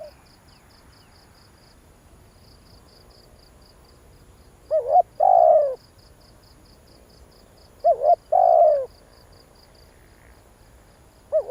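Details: Spotted dove call used as a lure to provoke wild doves: two phrases, each a quick wavering double note followed by a long, low, slightly falling coo, against a steady, rapid, high pulsing chirp in the background.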